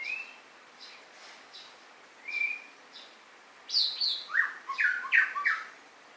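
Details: A white-rumped shama gives a couple of drawn-out whistles, then bursts into a fast, loud sequence of varied, sliding whistled notes, mixing high and mid-pitched phrases. Faint rhythmic chirping sounds behind it.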